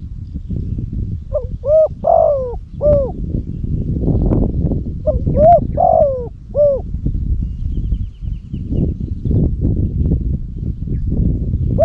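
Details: Decoy spotted dove in Cambodia, kept for luring wild doves, gives two four-note coo phrases in quick succession: mellow hollow notes with a falling end. Heavy low rumbling noise runs throughout.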